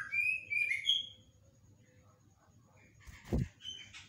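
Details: Yellow-vented bulbul, recorded in the morning, singing a long rolling ropelan phrase used as a lure. Bright whistled notes slur and bubble within about one second. A low thud and rustling follow, then a few soft notes.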